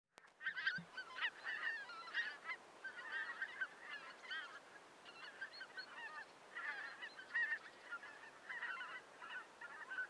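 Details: A flock of lesser white-fronted geese near Pasohlávky, South Moravia, Czech Republic, on December 29, 2022, calls continuously with high, squeaky yelping honks that overlap in dense bursts throughout.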